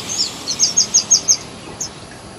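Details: A short phrase from a thrush nightingale in spring: about seven loud, high, downward-sliding notes in even succession, then one faint note after a pause.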